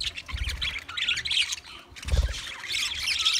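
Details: Budgerigars, twenty pairs together, giving dense warbling twitters and squeaky notes in two bursts separated by a brief lull.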